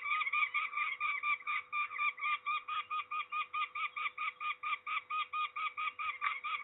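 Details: At Trzebież, Poland, on 13 May 2019, a peregrine falcon being ringed gives a long, even series of strident, grating notes, a little over two per second, with a fairly clean background.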